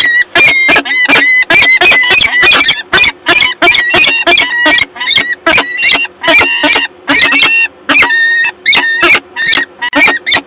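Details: Peregrine falcons at the nest in Gdańsk, Poland, on 12 April 2022: loud harsh rasping calls in rapid series, near-continuous staccato bursts with strong buzzy harmonics.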